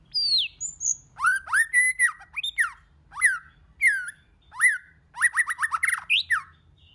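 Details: White-rumped shama singing in many voices. Rich whistled phrases climb and fall in quick succession, with rapid chattering runs of clear notes and brief pauses between bursts. The room is otherwise quiet.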